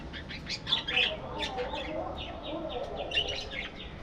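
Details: A budgie breeding colony chirps and warbles steadily, quick high notes repeated in loose clusters over a soft continuous chatter of other birds.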